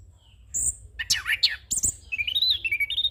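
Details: Orange-headed thrush song from a young bird, used for training and luring: a high whistle, swooping slurred notes, then a quick rippling run of warbled notes at a steady pitch.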